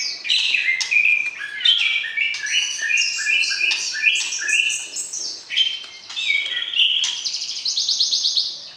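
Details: Caged white-rumped shama calling to stir breeding desire in a prospective mate: fast, varied whistled song of short sweet notes and chirps, phrases jumping up and down in pitch, ending in a rapid high repeated note series.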